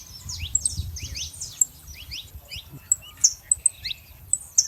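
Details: Flock of free-living saffron finches in the wild, a lively gathering: busy high twittering and descending chirps early, thinning into scattered sharp single notes, with low background rumble throughout.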